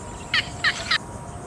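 A Yellow Bittern gives three short, harsh, chattering notes about a third of a second apart over a faint steady hum.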